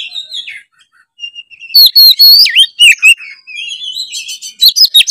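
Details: Oriental magpie-robin in full, lively song used as a lure to get other birds singing: a brief high whistle, a pause, then a dense run of sweeping whistled notes, sharp clicks and buzzy trills, loud and clear.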